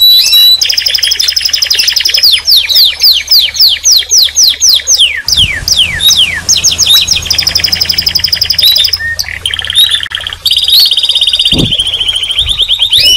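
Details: Canary singing and calling: loud, high, fast-repeated chips and sweeping trills in long rolling runs, changing tempo midway, with a sharp click near the end.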